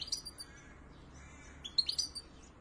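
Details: European goldfinch chicks in the nest as the male and female parents feed them: two bursts of thin, high chirps, a short one at the start and a denser squeaky cluster near the end, over quiet background.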